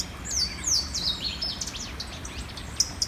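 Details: Louisiana Waterthrush, an early-spring migrant warbler nesting at a creek edge, sings by a full-running creek at sunrise in forested Monroe County, Indiana: a few high, clear down-slurred whistles, then a faint, quick twittering jumble over steady rumble.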